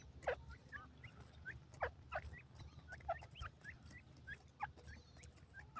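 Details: Female francolin calling, described as an Indian teetar: short, sharp upward-sweeping chirps, scattered irregularly, with one louder note near the start and low rumbling background noise.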